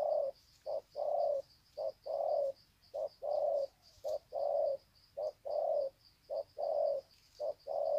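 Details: Wild-caught spotted doves greeting each other with long coo series, Sê San, 21 February 2020; low hollow coos in paired short-then-long notes, nearly one pair a second, steady and unbroken, with a faint high hiss behind.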